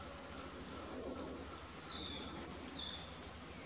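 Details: Amazonian wire-tailed manakin in courtship, dancing for a female: a pair of faint descending whistled notes mid-clip, then a sharper sliding note at the end, with insects droning steadily high above.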